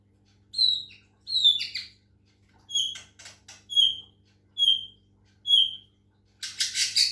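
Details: White-rumped shama of the Medan variety during water-sound therapy: a series of brief, sharp high notes with small dips, roughly once a second, closing with a dense harsh chattering burst.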